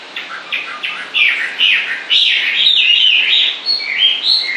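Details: A singing bird delivers warbled, slurred phrases that run almost continuously, rising and falling over a steady background hiss.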